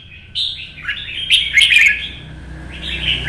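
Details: Solo red-whiskered bulbul in morning sun, hopping perches in fighting-style song to provoke others: a bright rising whistle, then a tumbling flurry of clicks and slurred notes, closing with a softer warbled phrase over low noise.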